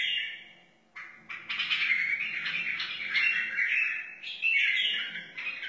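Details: Wild white-eared bulbul delivering a sustained, full, chattering warble with slurred whistles, after a short pause near the start.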